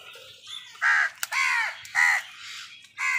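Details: Crows fighting with wild birds for food; loud, harsh, nasal caws, four in about three seconds, each briefly arched and rasping.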